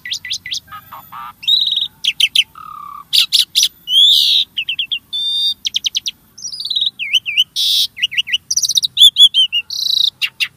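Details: Starling singing as a lure to get caged birds singing, a long rapid medley of clicks, trilled chip series, dipping whistles and harsh buzzy bursts, nearly continuous with few pauses.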